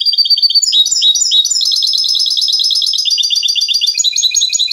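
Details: European goldfinch, trained in the Spanish silvestrismo tradition, delivers clean continuous song, a rapid stream of high liquid twittering and ringing trilled phrases, loud and unbroken with no other sounds.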